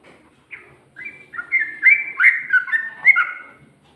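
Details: Ngikluk-style song of a yellow-vented bulbul, recorded in 2020 and said to include ngGARUDA phrases. One rich gurgling phrase of quick slurred whistles grows louder through the middle, then fades away.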